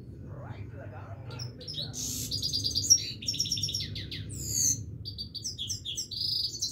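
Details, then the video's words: A Himalayan goldfinch keeps singing: soft opening notes lead into buzzy rattles, quick trilled runs and sharp whistled chirps, a varied, tumbling high twitter against a low humming background. "himaleyan goldfinch singing continuesly"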